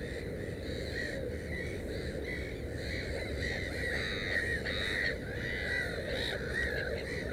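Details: Black-headed gull by a nest with three chicks: continuous overlapping harsh cries, roughly two per second, rising in intensity midway, with low rumbling background noise throughout.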